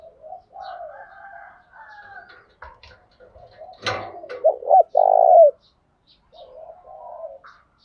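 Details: Decoy spotted dove calling in the morning to draw out males: a single low phrase of clipped coos ending in a long rolling coo, amid soft warbles from other birds and a sharp knock.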